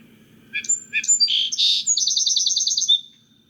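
Song Sparrow song: two or three clear introductory notes, a burry buzzy middle, then a quick trill of about a dozen repeated high notes, over a faint low hum.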